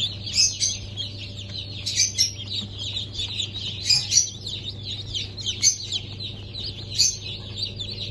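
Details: Chicks just hatched on 23 March 2024, of Sultan, Türken, Australorp and Sussex breeds, give loud piercing peeps in bursts every second or so above a softer chorus of cheeping, faint low hum behind.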